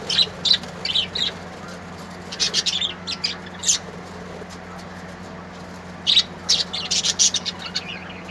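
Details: Beautiful colourful birds singing in irregular groups of thin, sharp high chirps separated by quieter gaps, with rapid runs of tweets near the middle and end over a steady hum.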